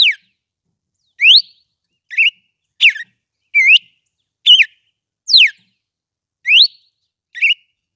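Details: A red-cowled cardinal sings steadily, giving nine bright whistled notes at irregular intervals of about a second, mixing rising slides, falling slides and short curled notes, in clean quiet surroundings.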